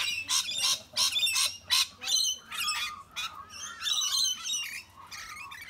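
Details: Rainbow lorikeets harassing larger birds, including sulphur-crested cockatoos and brushturkeys: loud, harsh, grating screeches repeated almost three times a second, with shrill chattering notes mixed between them.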